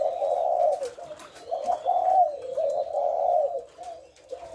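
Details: Spotted dove in thổ lối call style, recorded 18 September: a string of low, rolling coos in short swelling phrases with brief dips between them, faint high bird notes in the background.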